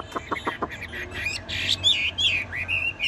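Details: Tame Chinese hwamei in a cage, singing on through cage-shaking: four short rapid clucking pulses, then a string of high bright whistled and slurred notes rising and falling.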